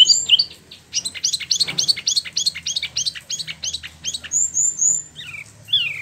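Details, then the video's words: Captive Spot-throated Babbler (Pellorneum albiventre), imported from China/Vietnam and kept about a year in Bandung, Indonesia, freshly moulted, rolling out a fast run of about ten high sweeping notes, framed by brief chirps and thin whistles and slurred notes. "Wambi Mini / Tieu Mi (Pellorneum albiventre) ngeroll"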